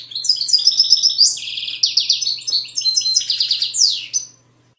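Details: Song of a European goldfinch in the Widaniya style from Moroccan valleys: a lively four-second torrent of high chattering twitters, rolling trills and a swooping slurred note at the end, over a faint low hum.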